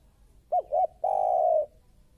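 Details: A single phrase from a fierce spotted dove in a lure recording: two quick upward-bending hoots followed by a longer, even, slightly falling coo, with a quiet background.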